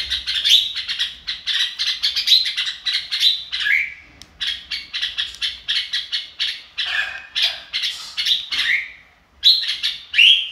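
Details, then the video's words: Red-whiskered bulbul in "ro kích bổi" song, a rapid stream of chirpy notes in quick bursts, some phrases ending in a falling whistled slur, with a brief pause near the middle before the chatter resumes. "chào mào ro kích bổi"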